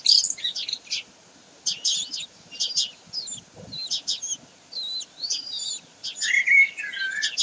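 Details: Common kestrels on 16 May 2023 give bursts of shrill, rapid chattering notes, repeated about once a second. Near the end, a lower slurred whistling from another bird joins in.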